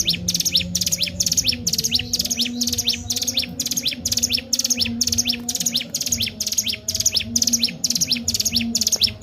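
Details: Energetic ciblek gunung song for luring and training birds: unbroken series of high thin chirps ending in downward slurs, around two per second, with steady volume and faint low droning.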